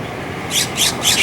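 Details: Shrike near Mulholland Highway at Las Virgenes Road, Santa Monica Mountains, in December during the Franklin Fire, with nanday parakeets nearby: three harsh, scratchy, high-pitched rasps in quick succession, about a third of a second apart, faint background hiss.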